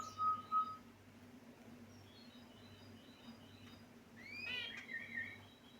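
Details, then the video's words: Caged pet finches give short high chirps, a couple of clear notes at the start, then a quick burst of rising and falling chirps, over a steady low hum. "Finch Birds Chirping Sound"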